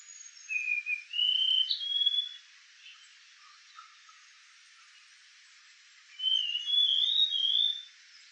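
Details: White-tailed flycatcher (Cyornis concretus), male, submontane Malaysia, July 2024: two high, thin whistled phrases about four seconds apart, notes sliding up and down, otherwise quiet background.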